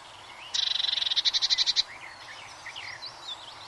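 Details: Song of a Eurasian blue tit: a bright, quick burst of roughly fifteen repeated high notes, loudest toward the end, followed by a background of scattered chirps and whistled phrases from other birds.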